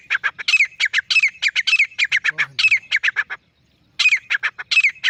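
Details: Rapid, loud, repeated screeching phrases from a solitary male grey francolin, a steady rattling sequence broken by one brief pause before resuming.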